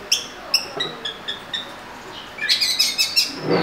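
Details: Oriental magpie-robin, locally called murai kampung: sharp, high chipping notes spaced about half a second apart, then a faster run of harsh, scratchy repeated notes.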